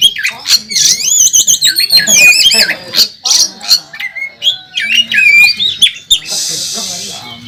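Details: Champion Oriental magpie-robin singing fiercely on the contest track, full of mimicked phrases: wavering whistles, sharp squeaks and short sliding notes, then a burst of hissing noise at the end.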